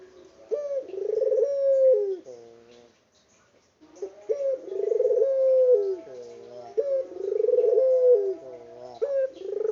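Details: Local spotted dove in an unedited recording, calling in long repeated coos with a short gap. Each coo is a pulsed rolling note that ends in a falling slur, about four phrases.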